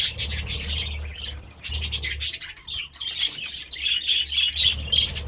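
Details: Budgerigars going wild over vegetables make harsh squawks and quick chirps in uneven bursts, ending in a run of clear, warbled whistles, with a low hum and light scraping behind.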